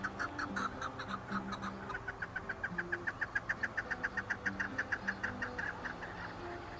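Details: Chukar partridge calling in a fast, even rhythm of sharp chuk notes, about three or four per second, building into a long rattling series over a faint low hum.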